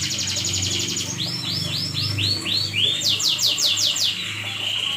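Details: Night-time canary song: a quick high trill, then a run of looping swooping notes, followed by a fast buzzy trill and a steadier rolled phrase, over a constant low hum.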